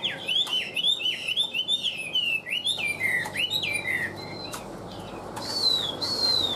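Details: Loud, tame caged Chinese hwamei: a fast string of bright, swooping whistles, each dipping then rising, about two per second, followed by longer high drawn-out whistles after a brief pause.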